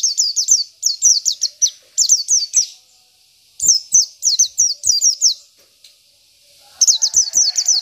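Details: Local Oriental white-eye song meant to provoke rival birds: rapid bursts of high, thin, downslurred chirps, four to six per phrase, repeated in quick phrases separated by short pauses.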